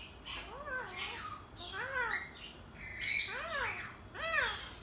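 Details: An Alexandrine parakeet imitates a cat, giving arched, meow-like wails four or five in a row about a second apart, mixed with harsher squawky notes.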